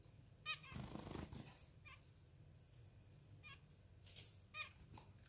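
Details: Hand-fed pet zebra finch (Taeniopygia guttata) chicks in a cage, hungry and begging for food: short, high, buzzy begging squeaks in bursts of two to four notes, with a broad rustling noise near the start.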